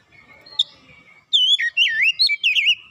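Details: Oriental magpie-robin (kacer) song used as a lure to bring a reluctant bird back into full song. After a faint start, loud whistled phrases roll and dip quickly, with sharp upward slurs.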